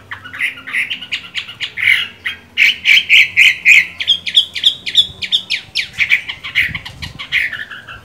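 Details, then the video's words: Green-eyed Chinese hwamei in moult, still in good voice: about eight seconds of fast repeated notes, roughly three per second, ringing and whistled, shifting pitch between phrases. "Họa mi hót hay, mắt lục đậu, vẫn phong độ khi thay lông"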